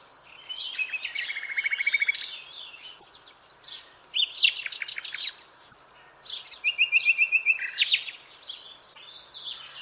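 Common Nightingale singing three rich, varied phrases separated by short pauses, including fast, mechanical runs of repeated notes and sharp, liquid flourishes.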